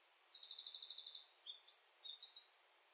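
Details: Sedge warbler of wetland habitat singing a rushed, chattering phrase: a fast run of repeated high notes, then varied whistled and buzzy fragments in random order.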